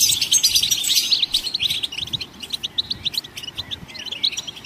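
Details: Goldfinches singing to stimulate other songbirds to sing: dense, rapid high twittering of tinkling chirps and trills, with a few thin whistled notes, continuing throughout.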